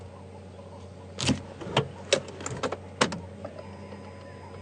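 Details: Sharp clicks, clunks and rattles inside a vehicle over a low steady engine hum, with no animal calls.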